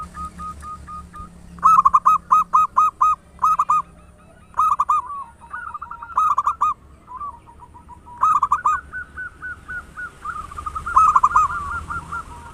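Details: Loud-voiced local zebra dove singing actively: bursts of quick, rhythmic, staccato cooing notes repeated in clusters, then a softer run of evenly spaced coos, with a faint high whine in the background.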